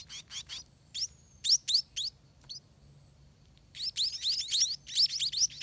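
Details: Scaly-breasted munia chicks at the nest give scattered high upward chirps, then a fresh run of quick begging notes near the end; quiet gaps in between.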